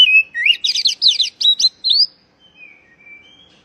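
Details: Oriental magpie-robin call, used to prompt stressed birds that have stopped singing: a dense, rapid jumble of scratchy, rising, twittering notes, ending in soft, thin, drawn-out whistles.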